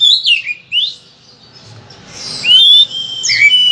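An Oriental magpie-robin sings loud, varied whistles, some sliding up and others falling, in quick phrases with a brief pause midway.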